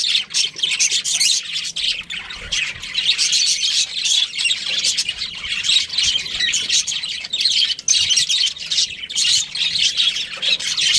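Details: Pet budgie chirping at length, a continuous high, scratchy chatter with squawky notes and occasional short breaks.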